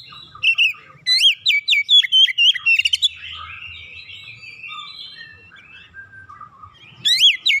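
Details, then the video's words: Caged Oriental magpie-robin in a house, singing in response to another bird: varied whistles and sharp chattering phrases, a rapid run of loud upslurred notes, quieter warbling, then a final loud burst. "KACER RUMAHAN MENDENGAR LANGSUNG NGOYAK BONGKAR ISIAN"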